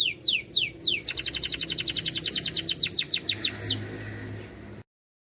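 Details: Hard, loud song of a canary in full singing form. Three long descending whistles, then a fast, pulsing trill of falling notes that slows and ends with one sweeping whistle, followed by silence.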